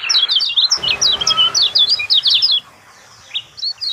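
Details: Lemon-bellied white-eye song used as a lure to prompt a silent bird to sing: rapid, high twittering of short sweeping notes for about two and a half seconds, then a pause and a few scattered chirps.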